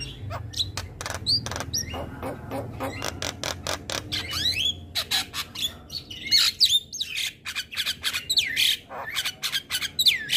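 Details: Javan myna singing in the morning: a fast, dense chatter of harsh clicks and rasping notes mixed with short rising and falling whistles, growing louder and more varied toward the end, with a low hum underneath.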